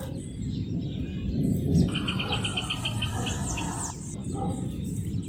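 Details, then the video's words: Rufous hornero song: a brisk series of sharp, even, high notes lasting about two seconds in the middle, set against constant low rumbling noise and faint chirps from other birds. "CANTO DO JOÃO DE BARRO 🐦 SOM DO JOÃO DE BARRO CANTANDO"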